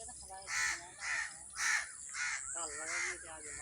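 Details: Crows gathered around a tree shouting angrily to summon others: six loud, coarse caws spaced about half a second apart, while people talk in the background.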